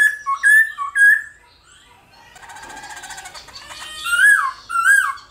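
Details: Black-throated laughingthrush competition song, used each morning to urge other laughingthrushes to sing; sharp descending whistles open, then a rough buzzy, noisy passage, closing with loud looping whistled phrases.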